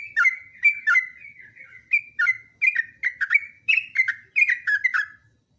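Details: Lively, continuous ropelan song of a yellow-vented bulbul used as a training recording: chirpy, liquid notes with softer warbled passages between louder bursts, flowing without long breaks. The background is clean.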